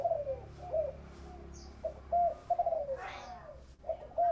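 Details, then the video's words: Spotted dove cooing in the 'thổ bầu' voice style. Mellow, low, slightly falling coo notes come in short phrases with brief pauses between them. Faint background noise is present. "Tiếng chim cu gáy giọng thổ bầu nghe vui lổ tai"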